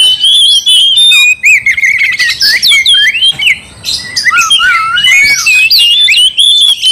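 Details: Kacer, the oriental magpie-robin, in full aggressive song used to provoke a rival: dense run of sweet whistles, slurred upslurs and scratchy notes, with brief pauses between bursts.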